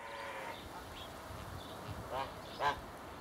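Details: Captive swan goose, one of a pair in an open enclosure: a drawn-out nasal honk opens, then short clipped honks follow, the loudest near the end, over steady background hiss.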